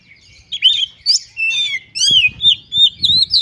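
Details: White-rumped shama (kacer), gacor singing with varied mimicked phrases: a string of long slurred whistles and bright chirps about every half second, with light knocking sounds in the background.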